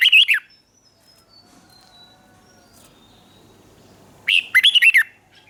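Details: Red-whiskered bulbul, caged, from Thailand, singing in the southern master style used to train young bulbuls. A short warble opens, a few seconds of near silence follow, then a lively string of five or six sharp, fluty notes.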